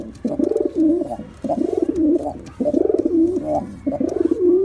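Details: Pigeon cooing: four long, low, throaty rolling coos, each about a second, with a pulsing vibrato and slight rise and fall, repeated with short gaps; faint clicks in the background.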